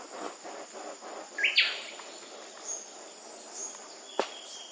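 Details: Wilson's bird-of-paradise recorded in West Papua in late July to August gives one short, loud, scratchy call note midway, amid steady insect buzzing, soft low patter and a sharp click later.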